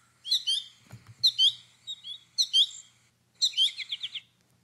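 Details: Three American goldfinch fledglings begging from their mother in late summer give high, squeaky two-part chick-pea calls in four quick clusters, one about every second; a single soft thump early on.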